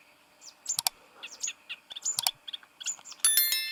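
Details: Yellow-crowned bishop (Euplectes afer), call.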